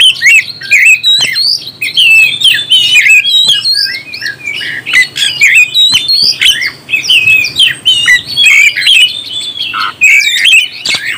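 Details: Dense, unbroken song of an oriental magpie-robin meant to rouse other birds: quick twisting whistles, chips and trills crowded tightly together, loud throughout.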